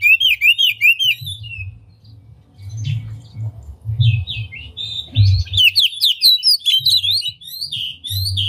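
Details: Oriental magpie-robin singing with its tail spread, used as a lure to rouse other magpie-robins into song: quick runs of whistled, slurred notes, a pause midway, then dense varied phrases resume, over a low rumbling background.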